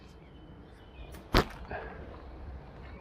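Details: A single sharp swishing crack, like an arrow or cast line whipping through air, over quiet outdoor background hiss.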